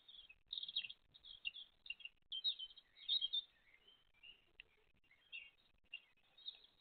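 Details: Great tit mother with her chicks, recorded 29 April 2023; a busy run of thin, high chirps and short twittering notes in quick irregular bursts, some overlapping, with brief gaps between clusters.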